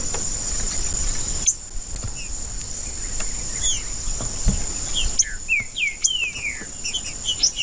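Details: Green-winged saltator singing to excite another trinca-ferro. Faint scattered whistles give way to a clear closing sequence of descending slurred notes over a constant high hiss and some low background noise.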